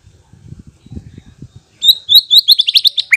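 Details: Lure song of a white-rumped shama meant to provoke a reply: after low muffled knocking, a sudden fast series of high, sharp whistled notes rising and tumbling, ending on a lower note.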